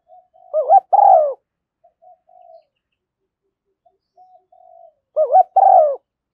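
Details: Decoy coo of a spotted dove, meant to draw doves in: a quick rising double note followed by a throaty falling coo, quiet murmured notes in the gap, then the phrase repeats about four seconds later.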